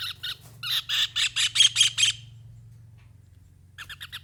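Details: Javan kingfisher calling: a series of about nine harsh, strident notes repeated rapidly, loudest in the middle, then a pause of over a second before another quick run of similar notes begins. A steady low hum runs underneath.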